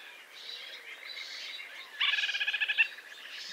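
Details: White-breasted nuthatch calling amid forest ambience: a quick run of about ten nasal, evenly spaced notes rising out of a soft chorus of distant birdsong, then fading back into it.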